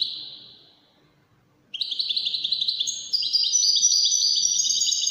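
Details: European goldfinch in the Moroccan Wedani song style, a fading high note, a pause, then quick rhythmic chirps building into fuller, rapid jingling twitters.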